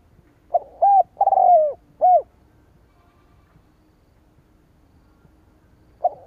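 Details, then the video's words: Spotted dove cooing to lure rival doves: one phrase of four mellow coos, a short opening note, a rising-falling coo, a long buzzy descending coo and a final clipped coo, then silence and the start of another phrase. "Tiếng chim cu gáy kích bổi"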